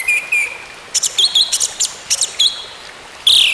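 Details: Orange-headed thrush song used to bring a silent bird back to singing: two soft whistles, a series of short sharp chirps, then a loud burst at the end.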